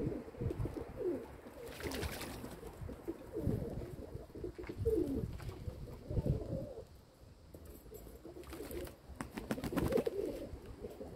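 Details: Kept domestic pigeons cooing in soft, low, wavering phrases, recorded 27 May 2022, with bursts of rustling or scratching breaking in near two seconds and again around nine to ten seconds.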